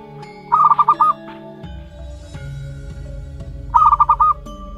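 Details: Young zebra dove aged one month, local wild-type bird, uttering two brisk clusters of about five short, evenly pitched notes roughly three seconds apart while music plays steadily behind.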